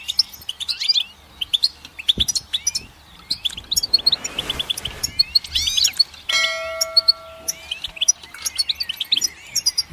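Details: Goldfinch song: rapid, liquid twittering with sweeping whistled notes and buzzy trills. A brief burst of noise breaks in midway, then a ringing, bell-like tone sounds before the twittering resumes.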